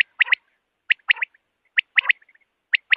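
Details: A common quail repeats its liquid three-note 'wet-my-lips' phrase about once a second, each phrase sharp and bright with silence between, a call used in the morning.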